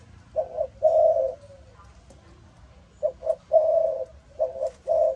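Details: Malaysian spotted dove cooing in a deep-toned style: low, hollow coo phrases of a few short notes followed by a longer drawn coo, repeated after a pause, with faint background noise.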